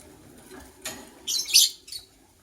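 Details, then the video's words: White lovebird from a matched couple in the morning: a brief burst of harsh, shrill chirps, the loudest squeaky note in the middle, followed by a faint trailing chirp. "White LoveBird Chirping Sounds"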